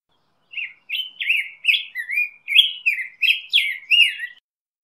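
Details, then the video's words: Song of a black-headed grosbeak: a steady run of about nine sweet warbled notes, alternately rising and falling, delivered at a lively pace with short gaps, clean and without other sounds. "Black-headed Grosbeak Singing - Picogrueso Pechicafé Cantando"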